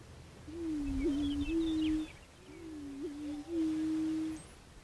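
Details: {'caption': 'Prairie chicken giving two low, hollow, moaning hoots, each about one and a half seconds long with a brief upward kink in the middle, about a second apart; faint higher chirps from other birds in the background.'}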